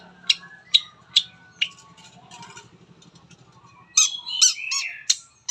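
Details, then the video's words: Long-tailed shrike lure song for prompting other shrikes: several loud sharp chips, a quieter stretch with a low hum, then a burst of harsh buzzy chattering phrases. "PANCINGAN CENDET APAPUN CEPAT BUNYI"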